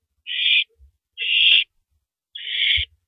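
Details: Three long, rasping hiss-screeches, about a second apart, from an owl on a live camera as it shreds and downs a big rabbit at 3:33 AM on April 9, 2012; faint thumps underneath.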